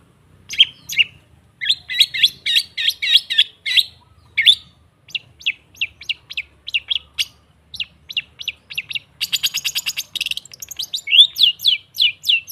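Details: Long-tailed shrike song used to prompt other birds to sing: rapid series of short sharp chirps repeated in bursts, some harsh rasping notes and a fast buzzy trill near the end.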